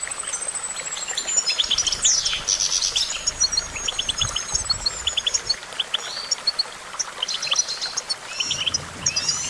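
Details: Goldfinch singing rapid, jangling high twitters broken by clusters of short, clicking notes and a few rising and falling whistles, with a faint low rumble in the background.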